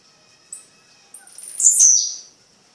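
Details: Blue-black grassquit (tiziu) singing at night in Fragoso, Magé, Rio de Janeiro, Brazil: two faint short high chips, then one loud buzzy, high-pitched note sliding downward for about half a second, over a steady faint high hiss.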